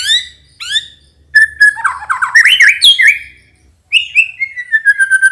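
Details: White-rumped shama in full song, a lure recording to make males respond; opening down-slurred whistles, a jumbled warbling middle section, then a series of level whistled notes gently falling in pitch.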